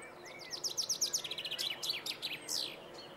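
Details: Male common chaffinch at Planina Gornja, Croatia, recorded 22 March 2014, delivering a full song: a soft thin whistle, then a cascade of crisp descending notes repeated in a steady series, finishing with a loud emphatic flourish.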